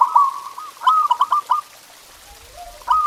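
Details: Zebra dove song to stimulate caged doves to sing: quick bubbling coo notes in a fast stuttering run, a pause with a faint low sliding tone, then the song resumes.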